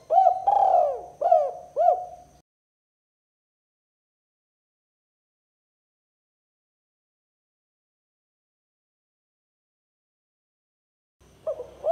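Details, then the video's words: Spotted dove 'kuk 2' coo for luring rival doves: three quick hollow coos with looped, bending notes in the first seconds, then a long silence before the call starts again at the end. "Suara Burung Tekukur Kuk 2 Paling Gacor Terbukti Ampuh Untuk Pikat & Pancingan Tekukur Lawan"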